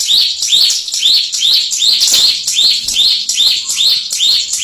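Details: Contest-winning bar-winged prinia repeating clear, high, arched whistle notes at a brisk, regular pace, around two to three each second, with no other sounds.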